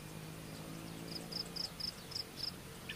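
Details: Common Kingfisher (Alcedo atthis) chick waiting for its mother to return gives six thin, high, short peeps, evenly spaced about a third of a second apart, over a low steady hum.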